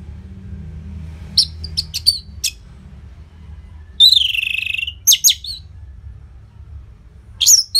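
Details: Loud orange-headed thrush song, used to coax silent birds into singing: scattered sharp high chips, then a long buzzy trilled note, followed by a few brisk notes and a final high flourish.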